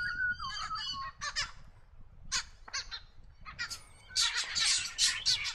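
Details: Blue Bonnet in dry eucalypt woodland of south-east Australia, feeding on the ground; loud, harsh, grating notes given in irregular bursts, some with short whistled elements, ending in a dense scratchy chatter, over a low background rumble.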